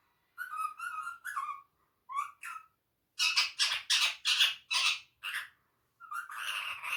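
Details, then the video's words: Pet parrot talking in Urdu/Hindi indoors: clear tonal speech-like phrases with steady harmonics, then a fast series of loud, harsh squawks and a final drawn-out note. "the best speaking parrot/ saying Mitthu Bete, Mittu Kittu, mian Mitthu, in urdu/hindi"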